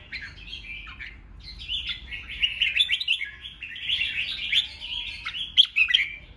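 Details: Red-whiskered bulbul fighting song, ché style, to provoke rival birds: a hesitant start, then an unbroken stream of fast, rasping chatter and bright chirps that grows louder toward the end.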